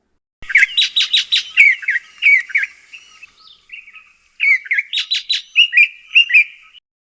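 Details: A White-throated Robin-chat from southern Africa gives clear, high chirps and short warbled phrases in two bursts with a brief pause between, no other sounds.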